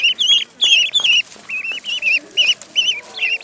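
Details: Clear, loud peeping from a duckling in a pond; shrill, slightly warbled notes repeated around two or three times a second with brief gaps, little else heard.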